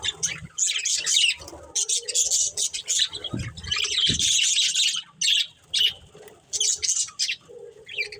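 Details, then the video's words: A budgerigar breeding pair chirps in choppy bursts of high scratchy chatter separated by short quiet breaks. "Cute Budgies Chirping Sounds"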